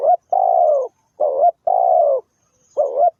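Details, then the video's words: Trapping lure spotted dove cooing steadily: long, smooth, slightly descending croos alternate with short, warbling double coos, close together and with no gaps between phrases, against a quiet, clean background. "The Sound Of Spotted Dove"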